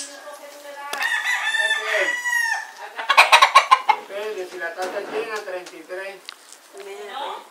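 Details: Two rival roosters near a cockfight in Puerto Rico, winter; a loud harmonic crow is followed by sharp rapid clucks, then more wavering calls answering across the yard.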